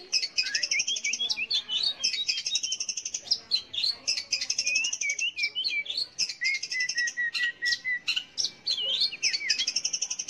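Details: Long-tailed shrike song used to prompt young or silent shrikes to sing: a rapid, unbroken medley of chattering, mimicked twitters, whistled upslurs and a buzzy trill, lively and dense throughout.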